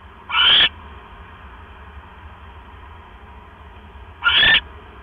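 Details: Owl at its nest on 12 October 2015 at 9:40 PM, bringing a mouse. Two harsh, hissing, raspy bursts about four seconds apart, each about a third of a second long, over a low steady hum.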